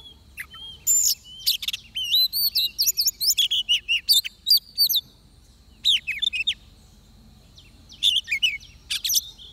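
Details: Oriental magpie-robin singing in a trapping setup with a decoy: a long, lively stream of varied whistles and looping slurred notes, then sparser chirps toward the end.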